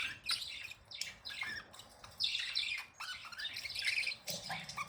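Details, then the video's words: Pet budgerigars, happy and playing, chattering in bursts of rapid high squawks, chirps and warbled notes with short pauses between phrases. "10 Minutes of Happy & Playing Beautiful Budgies sounds"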